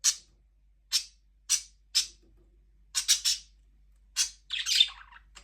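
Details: Budgies give spaced sharp chirps, some in quick pairs, ending in a short scratchy warble.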